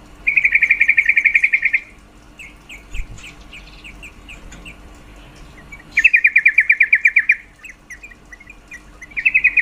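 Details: Repeated calling from a female yellow-vented bulbul, said to boost males' mating urge: long, fast, buzzy-sounding rattles of rapid notes recurring every few seconds, with softer scattered chips between them.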